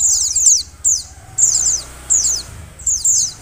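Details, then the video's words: Mountain white-eye female whose calling is used to rouse the male: short groups of high, sibilant downslurred tweets repeated about every half second to second, over low rumbling background noise. "pleci betina untuk mempercepat buka paruh pleci jantan"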